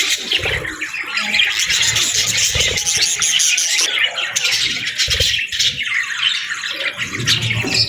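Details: Budgerigars chattering in the afternoon, a busy, buzzy warble of high chirps and squeaks running throughout, with faint low knocks underneath.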